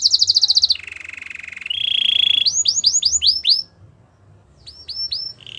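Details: Belgian canary singing to train young canaries: a quick high trill, two steady lower rolling trills, then bursts of loud downward-curving whistles separated by a short pause.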